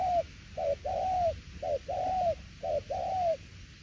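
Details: Spotted dove tiểu liên nước cooing: quick clipped note followed by a longer, gently falling coo, three such pairs in quick rhythm, slightly distant and soft.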